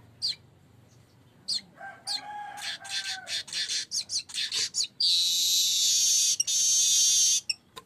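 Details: Streaked weaver in full song as lure and tutor material: sparse high ticks lead into a quickening series of buzzy, chattering notes, then a loud, sustained hissing wheeze lasting over two seconds, with a few clicks after.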